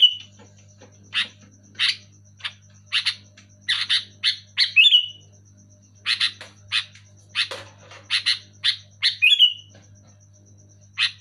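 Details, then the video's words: Loud, clear sooty-headed bulbul, with runs of harsh chirps, singly and in clusters, twice ending in a rising squeal, continuing for over ten seconds above a faint steady hum. "Suara burung kutilang gacor keras jelas"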